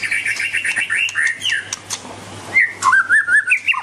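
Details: White-rumped shama (Copsychus malabaricus), song.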